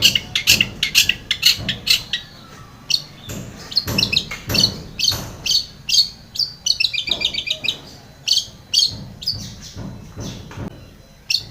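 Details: Long-tailed shrike song, used to get a quiet shrike singing: a long, dense, varied medley of harsh chatter, high whistles and quick trilled runs, delivered almost without pause.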